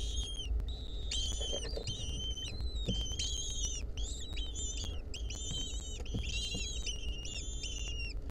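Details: Continuous overlapping whistled calls from several wild lesser kestrel nestlings, filmed in 2023 while a centipede clung onto them, notes rising and falling in quick succession with faint knocks beneath.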